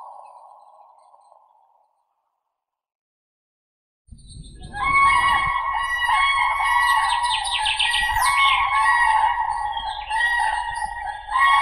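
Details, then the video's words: Common crane: a soft tone fades into silence, then from mid-recording comes a loud, continuous rolling trumpet with higher chirping birds mixed in. "Как поет Журавль серый (Grus grus)"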